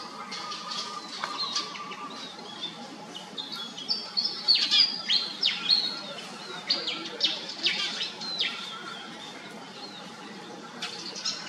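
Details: Pied fantail calling in a jumble of sharp, high squeaky notes and quick downward slurs, rising in intensity mid-way, then tapering off, with a faint steady tone underneath.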